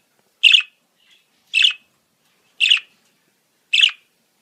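Budgerigar giving four short, scratchy chirps about a second apart, each a bright burst with a slightly harsh edge, against a silent background.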